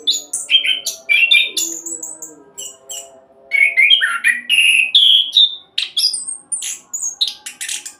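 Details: Fast 'roll' singing from an orange-headed thrush, played as a lure to make other birds sing quickly: bursts of sharp chirps and clear whistled phrases, a brief lull near the middle, then more rapid varied notes.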